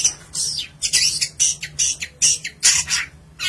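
A long-tailed shrike sings a rapid run of harsh, scratchy high notes in short bursts, about two or three each second, with a faint low hum beneath.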